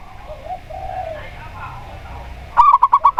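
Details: Local zebra dove (perkutut lokal), played as a lure to prompt doves to sing: after soft, muffled background cooing, a sudden fast run of about six bright, bubbly staccato notes.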